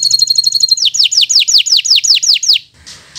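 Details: Local bottle-green canary singing as a master for birds still learning: a brief fast high trill, then a steady run of loud descending whistled slurs about five per second, ending in a soft buzz.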